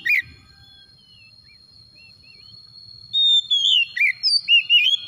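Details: Kacer, the Oriental magpie-robin, in a lure recording: faint soft whistles, then a loud burst of rapid, varied whistled notes and slurs in the last two seconds.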